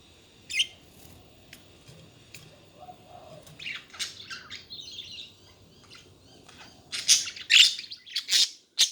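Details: Budgerigars chattering busily: scattered clicks and chirps, a soft warbled phrase midway, then a rapid run of loud, raspy squawks and chirps toward the end.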